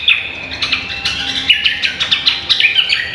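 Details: Cucak kombo in vigorous song, recorded as masteran training material for songbird contests; a fast chattering run of high, clipped whistles and trills that keeps going without pause over a quiet background.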